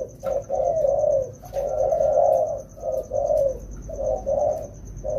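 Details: Two wild-caught spotted doves being trained in the rainy season coo loudly in a run of mellow notes. A long drawn-out coo mid-phrase is followed by shorter paired coos, over a faint high pulsing tone.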